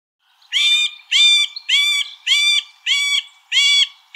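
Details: Middle spotted woodpecker (Dendrocoptes medius), song.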